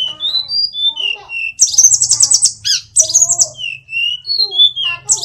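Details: An Indonesian hill blue flycatcher, locally sulingan gunung or tledekan, singing energetically. Clear, level whistled notes alternate with loud, rapid, buzzy trills and sharp chirps. A steady low hum continues beneath the song.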